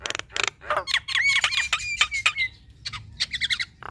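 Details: Short burst of female Javan myna song. Scratchy noisy notes frame a string of bright slurred whistles, ending in clipped, chattering squeaks.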